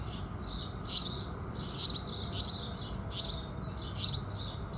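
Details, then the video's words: Morning house sparrow song at sunrise, sharp chirps in doubled pairs repeated roughly every 0.7 seconds, with quieter echoing notes over a soft low hum. "Sparrows Singing"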